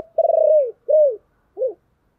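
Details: Spotted dove giving a 'chìm' cooing call used to stir a decoy bird: one low, trilled coo sliding down, then two shorter falling coos, close and clean.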